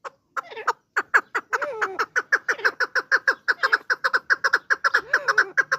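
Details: Partridge giving fast, evenly repeated clucking notes that build to about four per second. The notes are harsh with a strong mid-pitched core, and a few slurred, wavering notes are mixed in.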